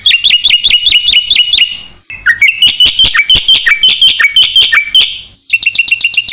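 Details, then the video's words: Black-winged starling song used to train songbirds: a fast series of identical sharp chirps, a short pause, then more varied scratchy and whistled notes, ending in a quick rattling run. "MASTERAN KICAU Jalak Putih"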